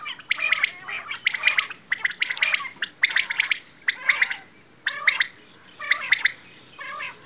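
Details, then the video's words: Quail calls, known locally as bedana: repeated bursts of bright, chattering chirps about every second, with a few softer gaps near the end. "Quail | Bedana | batair ki awaaz"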